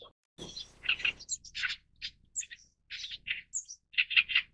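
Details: Oriental reed warbler with a rough, croaking song: separate gritty chirps and squeaky notes tumbling out at an irregular pace, with brief gaps between bursts.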